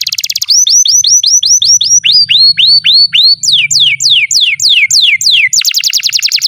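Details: Canary song for training young birds and silent canaries, a long fast run of sweeping whistled notes in quick repeated series, each phrase switching to a new note type every second or so, with faint low hum beneath.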